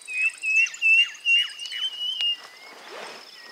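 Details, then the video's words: Bird of the pigeon and cuckoo families calling with quick, high whistled notes in a steady series, one after another, with a sharp click near the end and a soft rustling noise afterward, insects buzzing faintly throughout. "Cantos y gritos de aves Familias Columbidae y Cuculidae"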